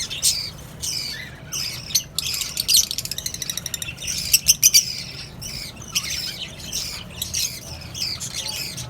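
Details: Colony of lovebirds, cockatiels and budgerigars kept together, giving dense overlapping high chirps and squeaky tweets, with bursts of rapid clicking notes and a steady low hum underneath.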